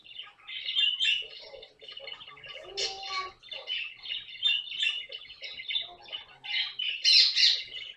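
A caique gives a run of shrill, harsh squawks and chattering squeaks, tightly bunched and high-pitched, with a few louder screeches near the end.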